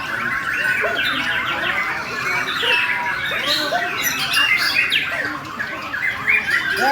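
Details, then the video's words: Bornean white-rumped shama singing loudly in an aggressive fighting style: a rapid, varied stream of whistled phrases, chattering notes and harsh squawky bursts, with short upswept and downswept whistles tumbling over one another throughout. "Burung Murai Borneo Main Akgresif Volume Dan Gaya Sangat Sangat Apik"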